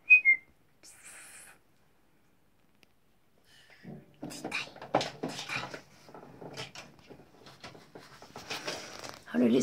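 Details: Pet macaw indoors in a bathroom, talking to the mirror: a brief high whistle opens, then after a quiet gap come several seconds of harsh, speech-like chattering with voiced bursts and noisy syllables in an echoing small room.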